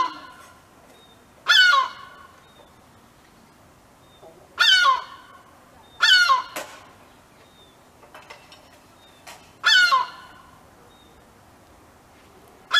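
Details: A European herring gull gives its long call: four loud, harsh, screaming alarm calls, each falling in pitch and spaced a few seconds apart. It was protecting its chick on the ground and alerting other gulls nearby. Faint distant bird notes sound between the calls.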